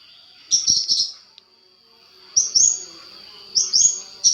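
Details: Long-tailed shrike master recording for provoking other shrikes: three short bursts of scratchy chattering notes about a second apart, separated by quiet gaps over a steady thin high hiss.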